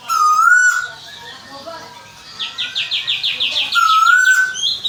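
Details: Loud rising whistled notes from a caged Asian koel in Bogor, Indonesia, opening and closing the passage, with a rapid rhythmic run of buzzy chirps from another bird between them.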